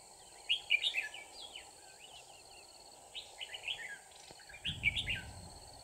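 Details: Red-whiskered bulbul at a trap on 24 December 2018, where a wild bird holds out. Several cheerful bursts of chirping, warbled notes follow one another over steady hiss, with a low rumble near the end.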